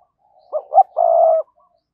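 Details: Decoy spotted dove calling to quickly stir up wild doves: two short clipped coo notes followed by one long, steady, mellow coo, clean with no other sounds.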